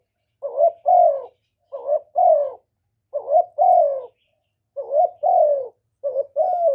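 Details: Spotted dove, a bird kept to call and coo for rousing male doves. Five double coos come at even intervals. Each starts with a brief rising note and ends with a drawn-out, downward-sliding hoarse coo in a quiet setting.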